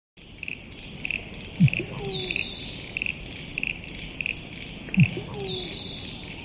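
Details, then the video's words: Musk duck calling twice, each a low, deep plonk followed quickly by a high, thin whistle sliding downward, about three seconds apart, over a steady pulsing insect chorus. "Musk Duck Sound"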